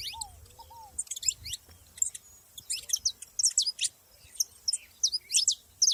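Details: Saffron finches in nature: a busy mix of sharp, high chirps and short downslurred notes in quick irregular bursts, with a few lower arched whistles from another bird near the start.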